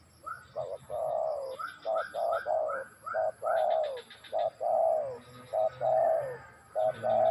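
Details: Spotted dove song, close and clear: paired short coos leading into longer mellow notes that fall at the end, phrases repeated rhythmically. A faint steady high whine and some pulsed chirping sit behind.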